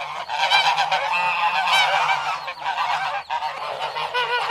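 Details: Geese honk in loud, rasping bursts, several birds overlapping in a continuous chorus with short gaps between volleys and a faint low hum beneath.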